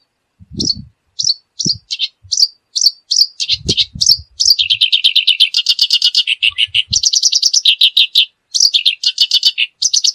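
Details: Sooty-headed bulbul singing: scattered sharp chirps that build into a dense, rapid chattering run of high notes, with a few soft low knocks early on.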